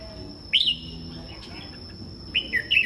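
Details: Morning singing from caged red-whiskered bulbuls: a loud, clear slurred whistle, quiet murmuring, then a rolling two-part warbled phrase near the end, with a constant thin high tone in the background.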